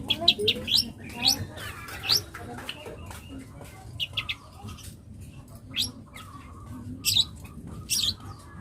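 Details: Young long-tailed shrike in full-fill song, giving bursts of sharp, high upswept chirps and short whistled notes in irregular clusters, separated by brief pauses, over a faint low background hum.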